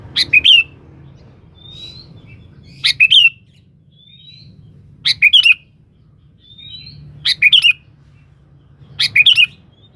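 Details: Vigorous sooty-headed bulbul calling a rival as a lure: five bubbly phrases of two or three bright notes, repeated about every two seconds, each preceded by a thin rising whistle.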